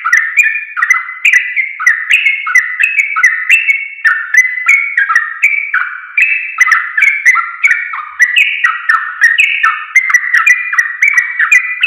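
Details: Sooty-headed bulbul in an extended masteran sequence for caged birds: a long, unbroken stream of bubbly, warbling whistled phrases, each rising and falling, roughly two per second throughout.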